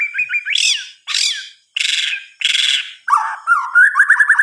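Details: White-rumped shama (murai batu) at night: several harsh, broad raspy notes at regular intervals, followed by rolling whistled warbles.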